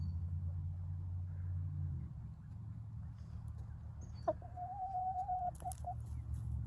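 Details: Yard chickens at Ellison Bay, Wisconsin, January 27, 2021: after a low droning rumble, one drawn-out, level, slightly nasal call begins around four seconds, lasts over a second and ends in two short notes.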